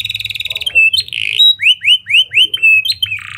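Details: Canary song in lovebird and prenjak imitation style, used as a lure for other canaries: a brief trill, a harsh squawky note, then five evenly spaced falling whistles ending in a burst of buzz.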